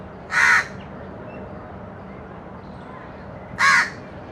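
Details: Crow giving two harsh, hoarse caws about three seconds apart over a steady background hiss.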